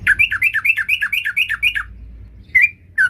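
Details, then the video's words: Sooty-headed bulbul singing energetically while seeking a rival: a fast run of about a dozen bubbly, dipping two-note phrases, then a pause and two short separate notes, with a low hum underneath. "burung trucukan gacor cari lawan"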